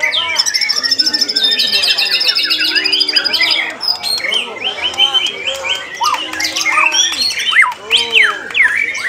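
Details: White-rumped shama song, a dense rapid stream of high whistles, trills and sweeping notes, with lower arched whistles underneath and overlapping phrases throughout.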